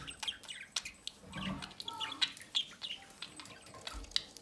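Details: Budgerigar chick begging as its parents feed it from the nest doorway; quick bursts of sharp, high chirps and squeaks, uneven in rhythm, with rustling and light knocks between calls.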